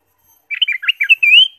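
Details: Ruby-throated bulbul song meant to stimulate caged birds: a short burst of fluty, tumbling notes that finishes on a drawn-out rising whistle, otherwise quiet.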